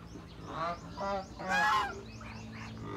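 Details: Noisy domestic geese kept with ducks in a rural Philippine province, giving three loud nasal honks about half a second apart, the last the strongest, followed by softer calls, with faint background chatter throughout.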